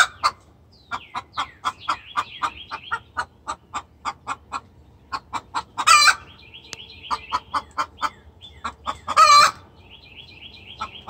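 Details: Very vocal hen in distress calling for the rooster: long strings of clucks, two loud raspy squawks about three seconds apart, and repeated thin high chirps.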